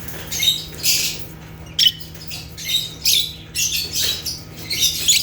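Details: African lovebirds (Agapornis) giving natural chirps: rapid, shrill, rasping squeaks in overlapping bursts that follow one another almost without pause, with a constant low hum beneath.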